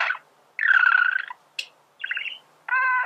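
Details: Male budgerigar singing, recorded to help teach birds to sing; buzzy, harmonic warbled phrases around mid pitch, separated by short pauses, with one brief sharp high chirp in between.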